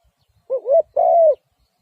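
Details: Spotted dove giving a two-part coo: a quick wavering, rising opening, then a long, level, slightly burry note that falls away at its close, against a quiet background.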